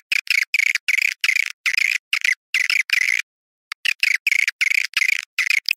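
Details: Swiftlet call in the style known as Awan hitam: dense bursts of buzzy, chittering twitters, each roughly a fifth of a second, separated by brief silent gaps, with one longer pause past the three-second mark.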